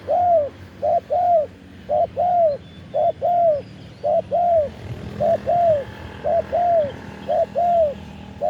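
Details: Spotted dove cooing, recorded live as a decoy bird calling to wild doves: pairs of phrases, a short coo then a longer drawn-out arched coo, repeated steadily about once per second, with faint distant background noise.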